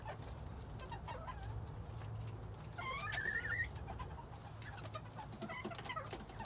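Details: Quails in spring 2021 give a clear whistled chirp that rises and wavers, with a few softer chirps before and after over a steady low hum and light clicking.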